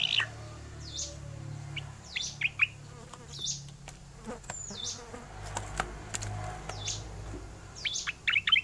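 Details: Oriental magpie-robin (Copsychus saularis), song.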